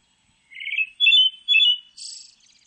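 A Pale Thrush sings a brief phrase: a rolling trill, two clear whistled notes, then a high thin twitter, against a quiet background.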